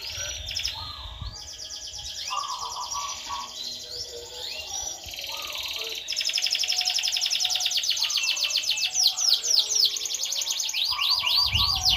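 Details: Canary in full song despite being placed low: dense, fast high trills and twittering that grow louder and more continuous after the midpoint, with brief low rumbles at the start and end.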